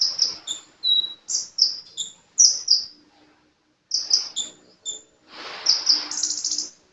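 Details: Sunbird in lively song, giving quick series of high-pitched chirps and piercing whistles, broken by a pause of about a second before a further burst of shrill, slightly buzzy notes.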